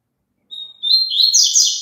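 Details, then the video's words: Song of a double-collared seedeater, meant for a kept bird to sing along with. It opens with a thin, level whistle, then breaks into a dense, rapid, high twitter that runs to the end. "COLOCA ESSE CANTO PARA SEU PAPACAPIM CANTAR JUNTO"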